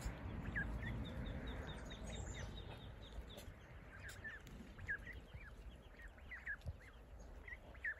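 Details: Saxony and Muscovy ducks with ducklings; many short, high peeps from the ducklings repeat rapidly and unevenly over a low background rumble.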